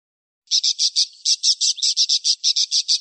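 A parakeet chatters in a fast, steady run of sharp, high, scratchy notes, about six or seven each second, with no other sounds.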